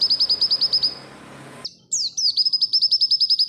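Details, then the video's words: Pleci barbara, an oriental white-eye, singing a master phrase for training other birds: rapid high repeated chirps, a short gap, a falling slurred note, then more quick chirps. "PALING AMPUH MASTERAN_PLECI_BARBARA"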